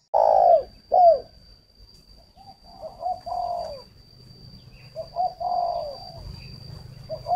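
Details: Decoy spotted dove kept for luring: two loud short coos open, then softer low cooing phrases of short and drawn notes, with a steady high electronic tone and some low rumble.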